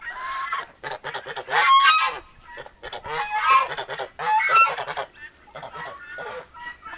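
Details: Pair of four-month-old turkey toms fighting. Loud raspy squawks in bursts of about half a second to a second, around twenty-two a minute, irregular, with short silences between.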